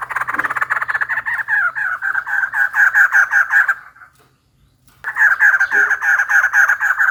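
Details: White-crested laughingthrush female calling for a mate: a long, rhythmic series of harsh pulsed notes, about two to three per second, breaking off briefly and resuming at the same pace, with a faint low hum beneath.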